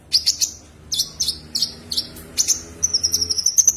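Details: Common iora calling a rival: sharp, high chirped notes in short bursts, a few clipped pairs, then a sustained high, slightly rising trilled whistle at the end.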